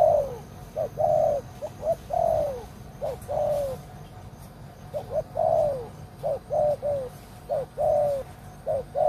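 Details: Spotted dove kept as a decoy to trap wild doves, delivering a run of mellow coos, short notes alternating with longer drooping ones, in an uneven rhythm over a steady low background hum.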